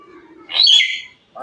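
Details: Hill myna, said to be talking to itself, gives a single loud, rasping, high-pitched screech, then a short muffled note. A person talks to the bird just before and after, asking whether it has eaten rice.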